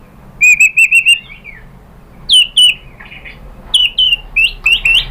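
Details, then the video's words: White-rumped shama singing as a lure for other shamas to answer: a string of clear high whistled notes, then spaced short ringing whistles and upslurred phrases with quiet gaps between them. "MURAI BATU lain jadi NYAUT ikut BUNYI GACOR BONGKAR MATERI ISIAN ¦ PANCINGAN MURAI SHAMA BIRD"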